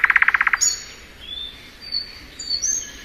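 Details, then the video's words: Spring song of a thrush nightingale, opening with a rapid, loud rattle of repeated chips, then quieter, thin high whistles, some drawn out and some slurred, spaced across the rest of the phrase. "Nightingale Song.(Luscinia)."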